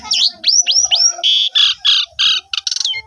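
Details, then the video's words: Lure song of an Asian pied starling to set other starlings singing, recorded on a phone: three swooping slurred whistles, then a run of evenly spaced harsh nasal blasts ending in quick chatter. "Pancingan Jalak Suren 100% Jitu !! Jalak Suren Macet Langsung Ikut Gajor Full Isian"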